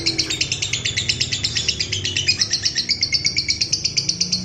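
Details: Lovebird giving a long 'ngekek' trill, used to provoke and train other lovebirds: a rapid, even chatter of shrill pulses, roughly five per second, held without a break.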